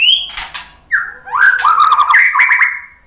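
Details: White-rumped shama lure song to draw replies: a high whistle, then a drop into a long flowing run of mid-pitched warbled and slurred whistles with faint scratchy notes overhead.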